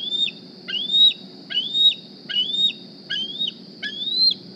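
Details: Juvenile bald eagle from the 2020 Decorah nest, wearing a GPS transmitter, squeeing one morning as it looks for a meal: six thin upslurred whistles that end in a quick downward flick, spaced under a second apart.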